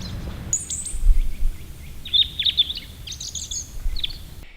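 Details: A European Robin sings in a forest on a freezing winter morning as the few singing birds begin the chorus. It gives a thin, high, varied, melancholy cascade of quick twittering notes and short trills, with low rumbling background noise.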